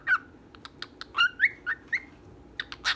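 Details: Two pet birds, a female and a male, give short whistled chirps that rise and fall near the same pitch. Sharp clicking taps like typing run through the clip.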